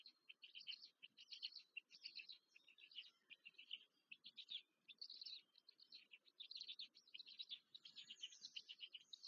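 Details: Black stork young being fed in their nest, Łódź area, Poland, 14 May 2023: continuous chattering of shrill, scratchy squeaks in rapid irregular bursts throughout, no other clear sounds.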